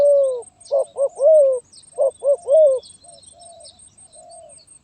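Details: Spotted dove, 'gagap tindan' stuttering song style, 23 January 2022: one long falling coo, then two sets of three arched coos, trailing off into soft murmured notes, with faint thin chirps from small birds.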